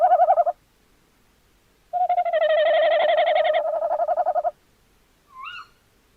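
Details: Tawny owl recorded 11 January 2026: the end of one wavering note, then a long tremulous hoot of about two and a half seconds, followed by a short, higher, rising squeal-like note.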